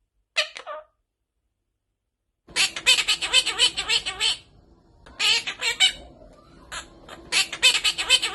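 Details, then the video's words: Talking pet parrot: a brief harsh squawk, a pause, then long bursts of rapid raspy chattering notes, broken by short gaps. "Talking Parrot"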